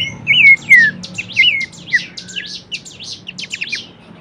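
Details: Horsfield's babbler song used to train songbirds: two or three loud looping whistles sliding downward open the passage, followed by a fast run of quieter clipped high notes.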